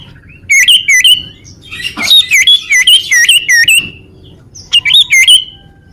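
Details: Common iora song meant for luring birds and stirring rivals to answer: a fast series of bright, slurred whistled notes, each dipping then rising, given in two bursts separated by a brief pause.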